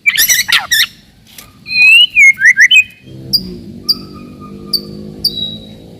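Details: Murai batu (white-rumped shama) song used to provoke rival birds and to test young shamas' fighting spirit: rapid harsh chattering notes, then loud clear whistled phrases sliding up and down, followed by short repeated high whistles over a low hum.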